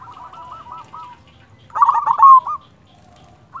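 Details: Silver zebra dove of local stock in lively song: a quick string of soft rolled coos, then a loud, dense trilled phrase ending on a stretched note, and one more coo at the end.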